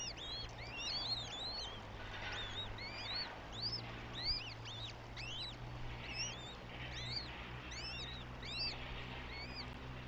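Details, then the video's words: Eurasian goshawk chicks at a nest in Tartu, Estonia, on 9 May 2025, giving a dense chorus of thin, arched whistled notes with rising-falling shape, overlapping and repeated rapidly throughout, over a low steady background hum. "Goshawk Nest"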